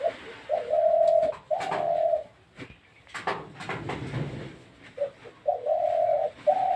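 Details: Spotted dove giving long, level, hollow coos, each lasting under a second. There are two near the start and two near the end, with clicks and faint voices in the pause between.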